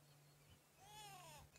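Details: A Grey Go-away-bird perched in a tree by a waterhole on an October sunset drive, beak open and breathing heavily in the heat, gives one nasal, drawn-out bleating 'gwaay' that swells then sags, over a steady low engine hum.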